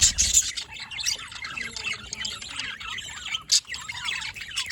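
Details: Budgerigar chatter from 27 October 2023, an energetic jumble of thin, high chirps and grating warbled notes, with a couple of sudden loud bursts.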